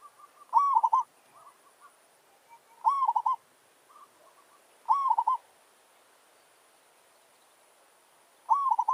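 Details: Village zebra dove acting as a challenge decoy while a wild forest bird approaches. Rapid staccato rolling coo phrases repeat about every two seconds, four in all, with softer answering coos between them.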